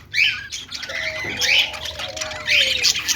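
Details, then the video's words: Happy, playful budgerigars give sharp chirps at the start, middle and end, with raspy chatter in between and a faint lower sliding tone in the background. "Budgie chirping sounds ||love birds sound||budgies playing sounds||"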